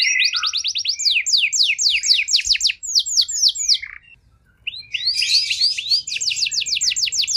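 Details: Canary singing, meant to draw a response from a canary in poor condition: quick trills of sweeping whistled notes, a brief quiet gap, then more rapid high repeated notes.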